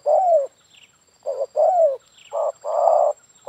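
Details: Spotted dove cooing in a yard, its voice used to lure doves. Loud, slightly harsh coos alternate short and long, one falling in pitch. Light chirps from other birds are heard in the background.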